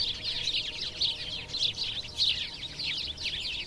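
House sparrows chirping in a busy, overlapping chatter of short, bright notes, several birds at once, with a faint low rumble behind.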